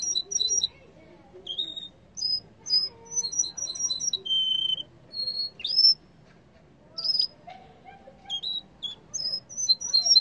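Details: {'caption': 'A yellow canary sings scattered high chirps, steady whistles and short rising notes, broken by brief pauses, with faint low background noise.'}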